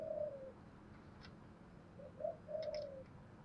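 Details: Decoy spotted dove prized for its "giọng thổ" voice, used to make wild doves coo quickly: a soft, low, slightly falling coo, a pause, then two short notes and another long falling coo over faint steady background hum.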